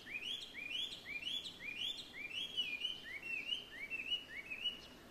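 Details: Bird song in Ito, 12 February 2023, the first heard that year and thought probably a Chinese hwamei: a run of loud, clear, upslurred whistles about two per second, then a slightly different repeated phrase, over faint hiss.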